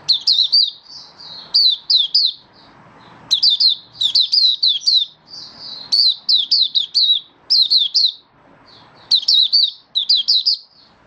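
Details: Caged Malaysian Oriental white-eye, lively high-pitched song of rapid chirp clusters and short warbles, repeated in runs with brief silent pauses.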